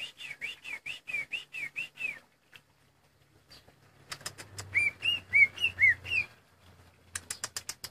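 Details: Greater green leafbird kept in a cage, singing despite a leg lost after being pinched in the cage. Quick run of slurred whistles, then a pause with a faint low hum, then louder looping whistled phrases and sharp chirps.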